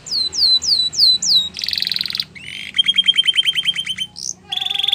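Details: Song of a Belgian canary: a row of five downward-swept whistles, then a harsh buzzing roll, a quick series of sharp repeated chips and a brief buzzy ending phrase.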